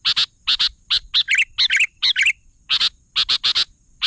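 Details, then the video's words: Sooty-headed bulbul in full voice: rapid doubled harsh chips alternating with brief rolling, warbled phrases in the middle, then more paired chips. A faint steady high tone lies underneath. "suara burung kutilang gacor"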